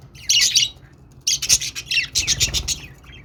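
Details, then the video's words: Budgerigar warbling in two bursts: a dense raspy chirring chatter, a short pause, then a longer run of mixed scratchy and squeaky notes with faint low rumble beneath. "budgies sounds to make them sing"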